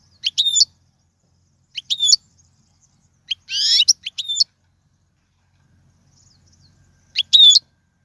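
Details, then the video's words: European goldfinch song for teaching young birds: short bright twittering phrases high in pitch, separated by long silent gaps, with one buzzy rasping note in the middle. "أفضل تغريد الحسون"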